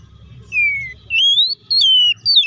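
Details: Oriental magpie-robin song used to provoke a bird into an aggressive reply: clear, high whistled notes, one falling slowly, others rising and sliding, given in separate phrases with a faint low hum beneath.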